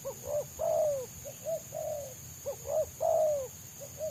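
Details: Wild spotted dove with a quick, tight selang nguku song that trappers hunt for: a brisk pattern of clipped low coos and longer falling coos repeating about every two seconds, a steady high hum underneath.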